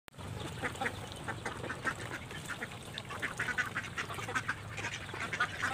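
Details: Ducks given feed and jostling to eat, calling in a dense run of harsh, nasal quacks that overlap almost without pause, with a low rumble of background noise underneath.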